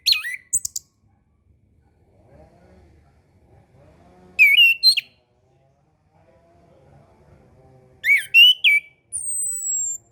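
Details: Orange-headed thrush singing for young birds learning their song and for birds singing little after moult: short bright whistled phrases spaced several seconds apart, a long high thin whistle, and faint low background murmur.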